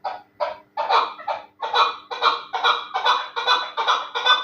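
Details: Terali chukar partridge, a bird kept for fighting and hunting, starting with a few separate clucks, then building into a steady run of loud, harsh chuck notes about two or three per second.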